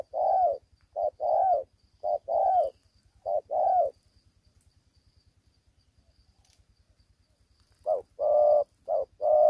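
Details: Immature spotted dove, collar spots not fully grown, fighting as fiercely as an old bird. Paired low coos, short then drawn-out, repeat rapidly. A silent gap of about four seconds follows, then the cooing resumes.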